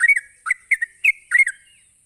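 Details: Brief burst of sooty-headed bulbul ropelan, the rapid song used to provoke other bulbuls. Four quick bubbly whistled doublets follow each other. A faint high whine sounds in the background.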